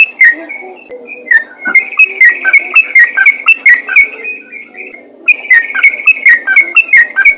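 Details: Yellow-vented bulbul calling to make other bulbuls respond: a sustained whistled tone, then clusters of quick chirpy notes, a gap of about a second, and another burst of bright chatter.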